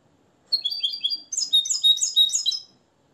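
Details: Nest-raised, hand-reared European goldfinch from Morocco, tutored in the limpio song style, singing a quick run of paired high twittering notes followed by a denser, buzzier trilled phrase, indoors and clean.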